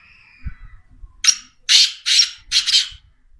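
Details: Black francolin, known locally as kala teetar, gives a rasping call of four loud, scratchy, broadband notes in a rapid rhythmic series. Faint thin whistles and low thumps come just before it.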